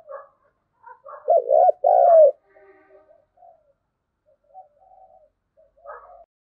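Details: Spotted dove "thúc gù" urging coo in native-field voice, used to lure wild doves: faint soft notes lead into a strong short coo and a longer sustained coo, then scattered quiet murmurs trail off.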